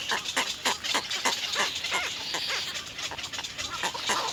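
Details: Three little egret chicks at the nest beg, biting at their mother to be fed, in a harsh, rasping chatter: rapid, uneven overlapping bursts about three or four a second, forming a noisy clamour.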